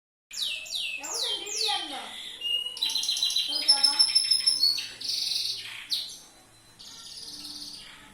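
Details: Yellow loper-style canary singing as a tutor song for training other canaries: high, fast descending whistled notes, then rapid buzzy trills and rolling chatter, with a softer warble at the end.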